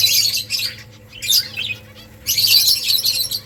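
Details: Colony of finches building nests, loud bursts of dense high chirping and squeaky twitters, pausing briefly, then a long continuous burst toward the end.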